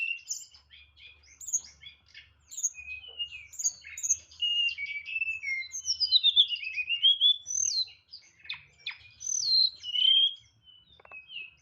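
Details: Caged white-rumped shama singing in the nyeklek style with a full range of imitated fill notes: rich whistled phrases sliding up and down, interspersed with sharp clicks and chirps, loud and varied throughout.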